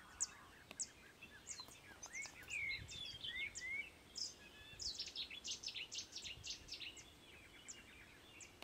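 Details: European bee-eaters at Izliv Soče nature reserve, Slovenia, on 1 June 2023, trading soft, rolling 'prruip' calls in quick, overlapping bursts, with thinner high chirps from other birds over a faint background hiss.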